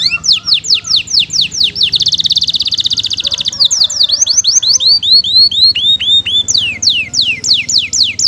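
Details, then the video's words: Lavish 'isian mewah' canary song from a masteran tutor recording: fast downward-slurred whistles, a dense buzzy trill in the middle, then rows of rising-and-falling chirps and sharp descending notes. "Masteran Burung KENARI Gacor ISIAN MEWAH Durasi Panjang"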